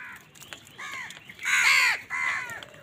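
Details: In a morning feeding squabble with wild birds, crows let out a few throaty caws, one much louder and longer than the rest, falling in pitch at its close.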